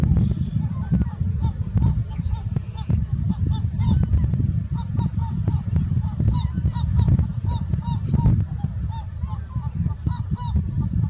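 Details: Breeding Herring gulls, recorded on 21 May 2017, give short, nasal, mid-pitched yelps in quick repeated runs, several birds overlapping, over a heavy low rumble of wind or surf.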